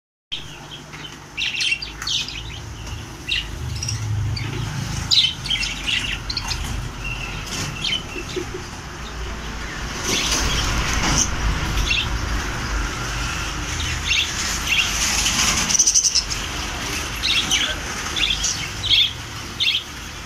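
Budgerigars chirp and chatter in quick, irregular bursts of high, scratchy notes.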